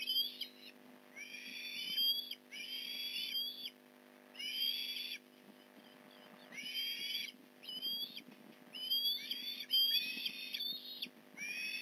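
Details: Port Lincoln nest Osprey, fish delivery on 15 November 2019 at 8:24am: repeated loud bursts of shrill piping whistles, each burst a chain of bending, rising-falling notes, with faint low knocks between.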